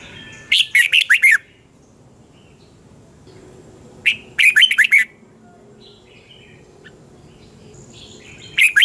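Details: Red-whiskered bulbul morning song, double-twist style, recorded in 2020 for training caged birds: the same quick phrase of five or six bright, chattering notes sung three times, about three and a half seconds apart, with quiet between.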